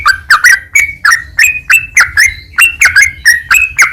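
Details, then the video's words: Yellow-vented bulbul, recorded as training material for kept songbirds, delivering quick chattering, bubbly notes in a steady run of about three a second, each note slurred up or down. The background is quiet apart from a faint low rumble. "TRUCUK MANAPUN DENGAR MASTERAN TRUCUKAN INI"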